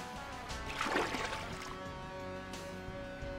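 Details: Music with steady sustained tones and a soft swell of noise near the one-second mark, faint water and boat-like sounds underneath, and no animal calls.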